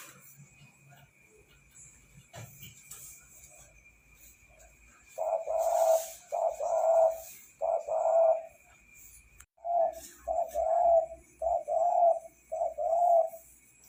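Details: A spotted dove in full song gives a run of soft, low coos in short bursts, several notes close together then a brief gap, repeated about once a second, with a faint constant high whine and light background noise.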